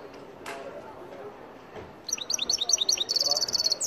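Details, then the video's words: Algerian goldfinch bursting into quick, high, tinkling twitters halfway through, a run of sweet chips and trills packed close together after a quiet start. "مقنين تيواواطي Algerian goldfinch"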